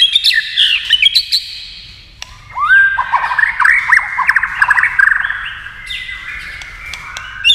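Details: White-rumped shama provoked by a TV into competitive song: sharp high notes at first, then a long run of varied fluty whistles and quick chattering notes after a brief lull.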